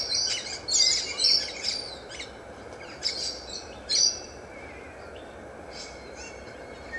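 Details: Kaka (Nestor meridionalis) facing a mirror on day one, uttering clusters of sharp, high squeaks and chirps early on, then fainter isolated notes against constant low hiss.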